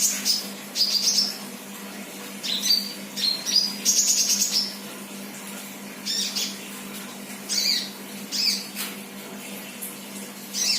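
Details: Untrained ('bahan') sunbird described as singing actively ('gacor'): thin, very high twittering phrases and sharp chirps in short bursts separated by pauses, over a steady low electrical hum.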